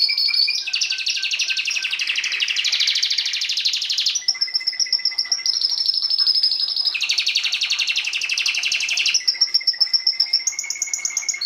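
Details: Canary song alternating dense rolling trills with clear level whistles, each section a few seconds long, continuous and loud.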